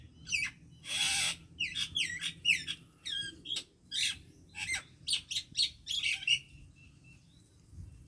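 A common myna runs through a quick, varied string of chattering notes, gurgles and sharp whistles, with a harsh rasping burst near the start and a clear whistle to finish.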